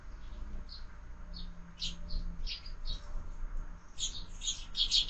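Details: Sparrows at a window-mounted feeder during the morning feed, birds fed year-round. Irregular sharp high chirps, some doubled, become louder and more clustered toward the end. Low hum and faint rustling underneath.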